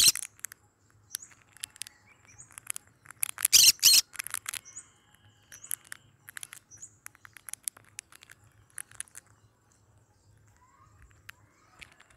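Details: Yellow-sided and cinnamon green-cheeked conures kept as pets, around feeding: a cluster of loud, grating squawks lasting about a second, surrounded by rapid light chirps, clicks and tapping that continue sparsely afterward.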